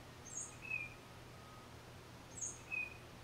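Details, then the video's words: A lone tufted titmouse, filmed on a Nikon D3500 with a 500mm lens, sings two matching phrases: a very high thin note sliding into a short lower whistle, about two seconds apart, low hum behind. "1 Tufted Titmouse Solo"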